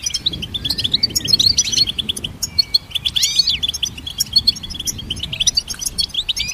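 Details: Goldfinch song used to train songbirds, a dense, jangling twitter of high chirps and trills with a couple of sharply sweeping notes near the middle.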